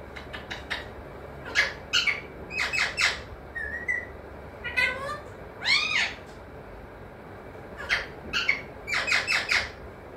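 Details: Pet parrot that talks, said to say mithu, mummy and papa: bursts of harmonic, speech-like syllables in short groups, with some clear whistled notes and rising glides between them, over a steady low room hum.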